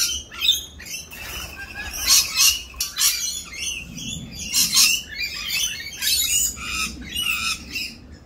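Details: Rainbow lorikeets during mating season, more raucous than usual while doing their mating dance; dense bursts of harsh, high screeches and chattering squawks overlap one another, several birds calling at once with brief gaps.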